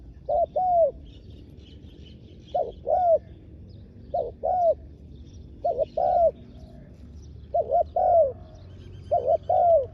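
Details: Decoy spotted dove calling wild doves in Thailand: paired short coos, the second slurring downward, repeated about every one and a half seconds in a regular series, with faint high chirps of other birds behind.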